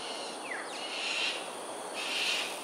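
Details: At Sungei Ulu Pandan, Singapore, 7.43am on 13 January 2022, displaying cockatoos in flight: quick falling whistled sweeps, then two drawn-out, coarse screeches, all over a steady hiss.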